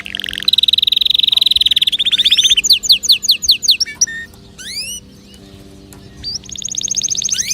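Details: Canary singing to encourage other birds: a long fast rolling trill, then sweeping repeated whistled notes, a brief pause, and another quick trill, over a faint electrical hum.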